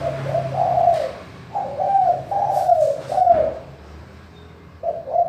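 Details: Spotted dove giving a clear, crystal-toned manggung call, used as a lure to prompt reluctant doves to call: a series of mellow, low coos in short phrases, some gently falling, with brief pauses and a steady low background hum.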